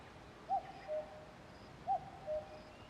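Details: A common cuckoo gives two clear cuck-oo calls, each a short higher note followed by a slightly lower, flatter one, over quiet background hiss.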